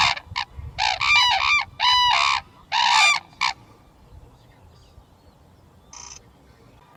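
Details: Red-crowned crane calling: a burst of loud, ringing trumpet notes over the first three seconds, then quiet background hiss with one short, fainter call near the end.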